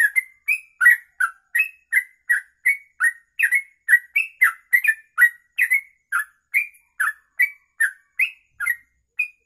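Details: Long ropelan kongslet song of a sooty-headed bulbul, suited as master audio: a clean, continuous run of crisp chirped notes, mostly rising or falling slurs, about three per second.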